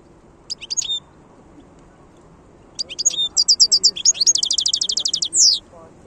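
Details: Wild goldfinch song from 2022: short twittering notes, then after a pause a longer phrase building into a rapid series of evenly repeated trilled notes ending in a buzzy slur, with low background noise throughout.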